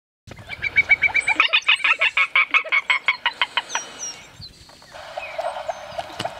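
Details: Spot-flanked gallinule in Conceição do Coité, Bahia, Brazil: a rapid run of nasal, clucking notes repeated about every tenth of a second, strong at first, then fading into softer notes, with faint chirps from other birds.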